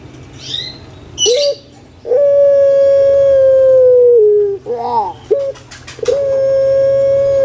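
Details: Kept collared dove of the Indonesian puter pelung type, recorded as a lure to make lazy birds call. It gives long, level, hooting notes lasting about two seconds, each sliding lower at the end, with short guttural bursts between them and small birds chirping faintly.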